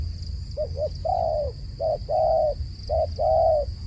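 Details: Dove calling: two short paired notes followed by a longer, level coo, the phrase given twice, each note low and hollow, over a steady high electronic-like whine and low rumble.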